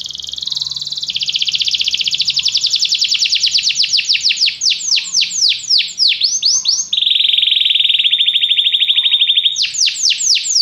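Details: Canary song used for training a canary to sing: a rapid rolling trill that slows into sweeping notes, then a steady low buzzy rattle, then swooping notes return.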